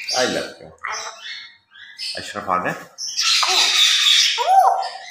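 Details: A pet grey parrot chatters in mimicked speech-like phrases during a morning routine, then gives a loud harsh squawk and a whistled rising-falling note.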